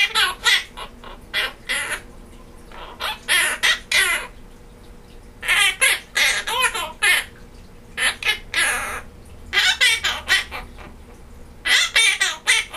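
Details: Male pet Quaker parrot, holiday season, singing Jingle Bells and laughing, with unclear words in the middle: clusters of harsh squawky syllables, three to six per burst with short gaps, shrill and buzzy throughout.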